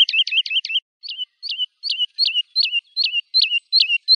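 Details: Woodlark song opening with four quick rolled notes, followed by a steady train of identical sliding whistles about three per second, each rising then falling, against silence.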